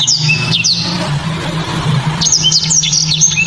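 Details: Black-throated canary song in loud, sharp, clear bursts: rapid high whistled notes and slurred chips at the start and again near the end, with a steady low hum between phrases.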